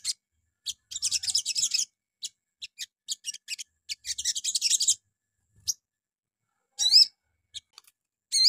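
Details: A brown-throated sunbird in the morning, used as a lure that sets other sunbirds answering, gives thin, very high twittering bursts in quick, scratchy runs, with a few sharp rising whistles near the end.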